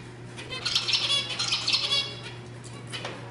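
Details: Song of a zebra finch meant to arouse females for breeding: about one and a half seconds of rapid buzzy, rasping notes, then quieter scattered chirps over a low constant hum.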